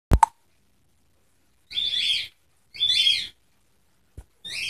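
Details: Contented pet budgerigars giving short scratchy chattering phrases, each under a second, separated by pauses, with a sharp click at the start.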